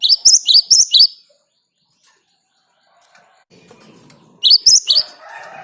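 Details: Wild great tit in 'ngerol' lure song: a short spurt of four sharp high two-note phrases, a quiet gap with faint rustling, then another brief burst of repeated phrases.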